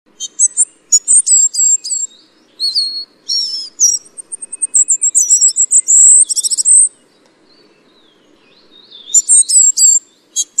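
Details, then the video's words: Ferruginous flycatcher (Muscicapa ferruginea) giving very high, thin whistles and quick sibilant notes in bursts, some rising or falling, with short pauses between phrases. "紅尾鶲/Ferruginous Flycatcher"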